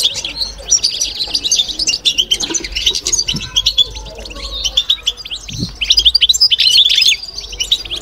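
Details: Babtaba song from a caged European goldfinch: a steady flow of high, tinkling, rapid chirps and twittering trills, with occasional soft knocks in the background.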